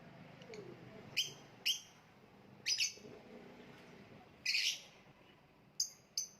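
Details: Kept lovebird giving spaced, piercing high chirps, singles and a longer harsh burst, every second or so over a low murmuring background.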